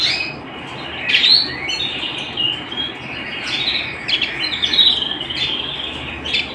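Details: Domestic canary singing indoors at home: fast high chattering trills and whistled notes, a loud burst near one second, then a run of rolling, warbled phrases with short sharp sweeps.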